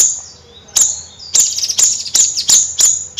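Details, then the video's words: Bayeman bird giving chattering high notes that speed up into a quick run of sharp, slightly buzzy chips. "Suara Kicau Bayeman Nyrecet Gacor Kicau Bayeman Siri Siri"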